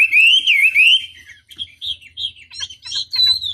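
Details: Chinese hwamei lure song meant to provoke rival birds into answering: a loud, rising-and-falling whistle sliding up and down for a second, followed by shorter clipped whistled notes at a quick, uneven pace.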